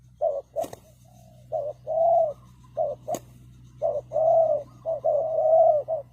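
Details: Spotted dove calling as a trapping decoy: short and long cooing notes alternate in an uneven rhythm, with a steady low hum and a couple of sharp clicks behind.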